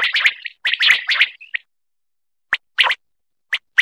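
A quail gives a rapid cluster of sharp, liquid notes, then spaced single clipped notes about a second apart, high-pitched and clear against silence.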